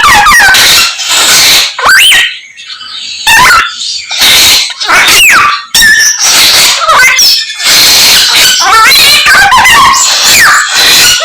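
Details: Common myna singing a medley of borrowed bird sounds: harsh squeaky screeches and rasping bursts broken by quick whistled upslurs, delivered in dense irregular phrases with short gaps.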